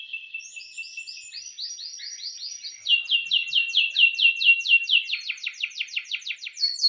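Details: Morning training song of a canary, recorded 18 December 2025: clean, rapid repeated trills, first soft rolling, then a louder, steady series of sharp falling notes, about two per second, ending on a high whistle.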